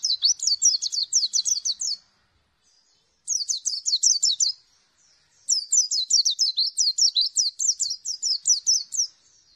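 A white-eye sings three bursts of rapid, high, sweet twittering notes, each run lasting one to three seconds with short pauses between. No other sounds.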